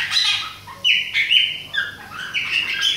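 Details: Chopi blackbird of the Bahia type, an adult and a young bird: sustained clear whistles at steady pitches, broken by quick upward and downward slides.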